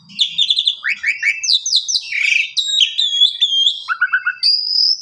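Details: Asian pied starling song for tutoring canaries: rapid run of descending whistled notes, a harsh rasping phrase, a level whistle, a quick trill of low-pitched chips and a final high clear whistle.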